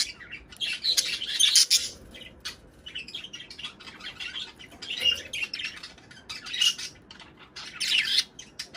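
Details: Budgerigars chattering to encourage mating and egg laying: loud clusters of bright chirps and scratchy warbles every couple of seconds, softer twittering in between.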